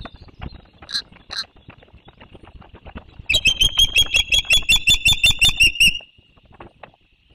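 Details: Osprey at a nest watched by a bird cam in Savannah around landings, 1 June 2023 at 12:33: two short squeaky notes, then a loud rapid run of about fifteen shrill, whistled chirps in under three seconds, over steady knocking and rustling at the nest.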